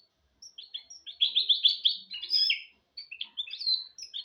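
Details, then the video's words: Goldfinch × canary hybrid (mule) singing a clean, fluent song used to tutor goldfinches and canaries: high twittering phrases, a fast rattling trill of repeated notes, then varied chirps and whistles in short bursts. "تغريد طائر الهجين الميستو حفاضة ودانية لتعليم طيور الحسون والكناري بدون أخطاء"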